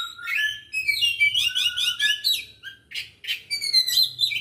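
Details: White-rumped shama, local name kacer Aceh, 24 December 2022, singing a dense, fast stream of varied high whistles, trills and slurred notes with short breaks, over a faint low background hum.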